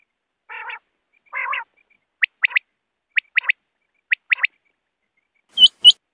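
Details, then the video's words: Two low, nasal growling notes from wild quail, followed by three crisp triple-note chirp phrases about a second apart and two sharp clicks at the end, birds of the sort netted by hunters. "BATER Ki Awaz|Batair ki awaz 2024|Quail sound 2024|Quail shikar ki awaz"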